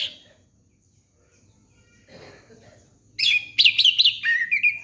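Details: Young-bird lure of orange-headed thrush song: near-silence with a low murmur, then a loud, rapid run of rising and falling whistled notes, repeated roughly twice a second, over a faint hum.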